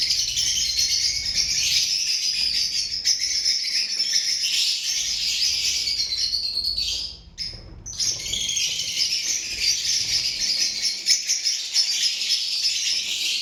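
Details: Continuous loud chattering of a group of lovebirds on 12 March 2025, an unbroken wash of high chirps and squeaks that dips briefly at about seven seconds before resuming.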